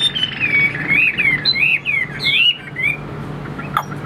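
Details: Caged hwamei for sale, delivering a flowing run of clear, slurred whistles that swoop up and down in quick succession for about three seconds. A sharp click comes near the end.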